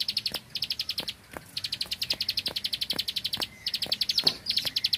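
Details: Bar-winged prinia of the rice fields delivering rapid-fire 'tembakan bren' song, high clicking 'klik' notes rattled out at steady speed in long runs separated by short pauses, with isolated sharp taps.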